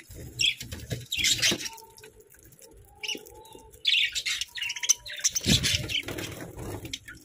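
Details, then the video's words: Budgies at their morning breakfast feeding, chirping happily: bursts of harsh, high chatter and squeaks with pauses between, plus short steady whistle-like tones and low knocking sounds. "Happy Budgie Sounds"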